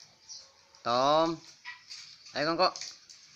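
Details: Green junglefowl (Gallus varius), a five-year-old bird kept as a sire for bekisar hybrids, crows in two short, hoarse, harmonic bursts about a second and a half apart over faint background hiss.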